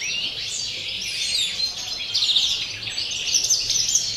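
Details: European greenfinch of campero type delivering pure song: unbroken, rapid chattering trills with quick upward and downward sweeps, getting busier in the second half.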